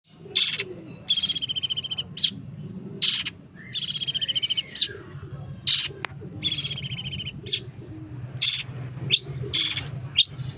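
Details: Long-tailed shrike in full rich song: rapid, varied bursts of harsh buzzy notes alternating with sharp whistled chips and a few short slurred phrases, with a steady low hum underneath.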